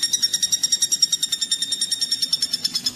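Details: Common flameback woodpecker, used as song training material for magpie robins: bright, high notes repeated at an even pace of about three a second, with soft low background noise.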